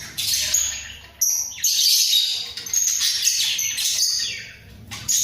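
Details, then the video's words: Two budgerigars in a breeding cage bob their heads while producing a rambling warble of squeaky whistles and scratchy chatter, rising and falling in loudness, over a faint low hum. "Sepasang Burung Parkit Gacor"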